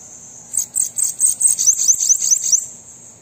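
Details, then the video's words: Bananaquit song used to get a captive bird singing: a rapid two-second string of piercing, buzzy notes, the latter half a run of quick downward slurs, with a steady high hiss around it. "Sibite canto para estimular seu Sibite a cantar"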